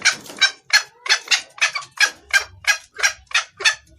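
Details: Calling female red junglefowl summoning the male, sound meant for luring males; loud, raspy clucks in a steady train, around three each second, against a quiet background.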